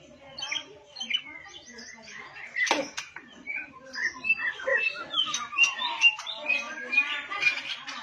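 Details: White-rumped shama that bows and promptly starts singing along, giving a long, busy stream of rich whistles, chips and warbled phrases that grows louder and faster in the second half, with a sharp click or knock midway.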